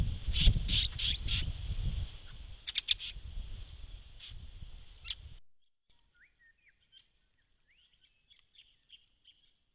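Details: A large flock of White-browed woodswallows gathered at a pond in December 2016: loud clustered bursts of harsh chattering notes over low rumbling noise, then a quieter stretch with scattered short chirps and brief slurred whistles.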